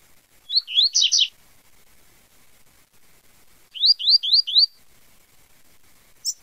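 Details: Double-collared seedeater in tui tui zel zel song, opening with a buzzy, rattling phrase, then after a pause four crisp rising whistled notes in quick succession, followed by a single faint high note.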